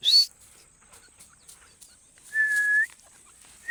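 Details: A partridge (teetar, described as Irani/dakhni teetar), in a call used as a hunting lure, gives loud, clear whistles: a sharp rising whistle, then a long level note about two seconds later, with another starting at the end.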